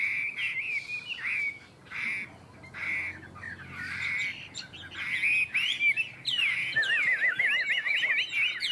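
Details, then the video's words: Chinese hwamei singing in a contest between two birds: loud, slightly buzzy whistled phrases in short bursts, then a long run of fast, twisting, wavering whistles. "Họa mi hót đấu"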